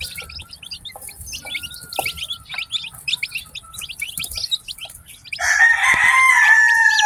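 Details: Newly hatched chicks peeping rapidly, a busy flock of thin, high, falling chirps about three or four per second. A loud drawn-out adult chicken call cuts in near the end.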